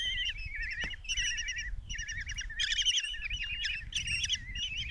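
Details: Five Common kestrel nestlings in a nest box at Tiszalök, Hungary, 27 June 2024, begging while the mother delivers a mouse. Several chicks call at once, giving loud, quavering, trilled notes in dense overlapping bursts with brief pauses.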